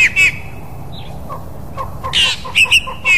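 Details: Fork-tailed drongo from Africa giving short, twanging metallic notes and a harsh buzzy burst, with softer faint chirps between them against steady background hiss.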